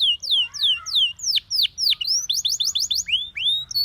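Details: Canary training song of looping whistled notes, slurring down then up, repeated quickly, breaking into a short rapid trill and closing with rising whistles.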